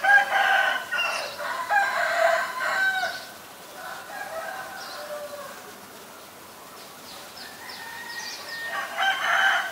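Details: White-vented myna calls recorded in Ubon Ratchathani, Thailand, on 9 March 2022. Loud, harsh, harmonic calls open and close the clip, with quieter, rougher notes between them.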